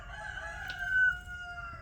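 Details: A White-winged Chough, one of a family group of four red-eyed birds that came to a house door, gives a drawn-out, mournful whistle. It holds steady, then slides slightly downward over nearly two seconds, over a low rumble.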